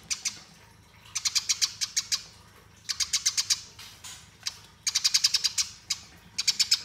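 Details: Eurasian tree sparrow singing a fighting song used as master training, with four rolling runs of rapid, shrill chirps, each run five to eight notes, separated by short silences.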